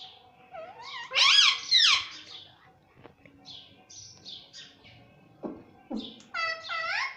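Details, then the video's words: Talking Indian ringneck parrot, a pet that says mummy and papa in Hindi. Two loud, harsh, word-like bursts come early, then quieter squeaky notes and a final series of rising harmonic syllables. "parrot talking mummy || papa bolta tota || indian ringneck parrot"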